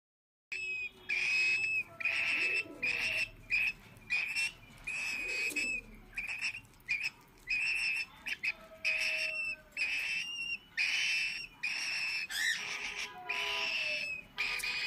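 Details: A hungry female cockatiel chick, not being fed by her parents and so hand-fed by the owner, gives a steady run of short, shrill, slightly rasping begging calls at feeding time.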